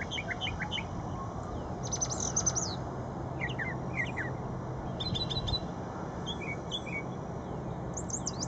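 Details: Brown thrasher singing at Shred-It Pond: a string of varied, high chirpy phrases, some given twice in quick succession, over a steady low rumble and a faint thin hum.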